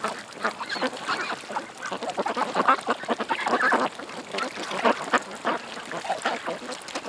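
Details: Ducks at a creek quack continuously in a crowded chorus. Brief loud calls rise out of constant lower chatter, with a short lull just before the fourth second.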